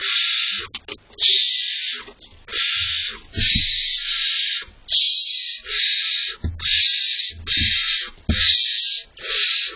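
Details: Continuous chorus of barn owl owlet begging inside a nest box in July, two chicks waiting for parents to bring prey; dense, overlapping hissing rasps almost without pause, broken by brief knocks and shuffles.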